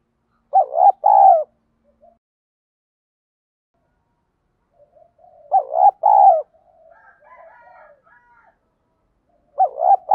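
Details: Spotted dove with field-style voice used as a fighting lure; soft two-part coos repeated about every four to five seconds, followed by faint murmured notes between phrases.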